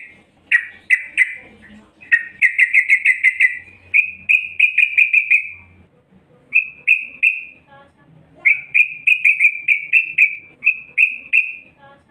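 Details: Calling female yellow-vented bulbul luring males, delivering fast trills of clipped notes in phrases of two to five seconds, steady in pitch, broken by brief gaps; faint low background hum.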